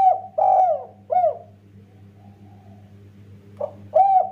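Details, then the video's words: Spotted dove singing in the kuk 1 style, used to prompt other doves to sing: low hollow coos, three quickly spaced notes, a pause, then two more, over a steady low hum. "Burung derkuku tekukur master gacor kuk 1,Paling cepat bikin tekukur lain ikutan bunyi"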